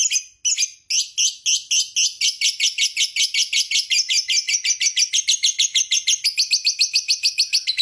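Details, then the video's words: Lovebird giving a long trilling song meant to set other lovebirds singing: rapid, harsh, high chattering notes repeated without a break for the whole stretch, after a short stutter at the start. "Suara Burung Lovebird Ngekek Panjang JAGO Bikin Lovebird Lain Tidak Berhenti Bunyi"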